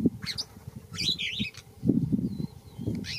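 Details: Yellow oxpecker, a tick-eating bird that feeds on buffalo and giraffes. Short hoarse, hissing calls rise and fall in two bursts. Low rumbling and rustling sounds run beneath them.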